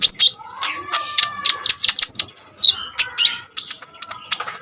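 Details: Common iora song, kept as a tutor and lure for training other songbirds: a fast run of sharp, high chattering notes and varied chips over a long steady whistle, with short pauses between bursts.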